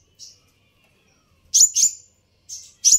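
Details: Provoking sunbird call: a faint high chip, a pause, then two loud piercing chips followed by two more, all very high-pitched and abrupt.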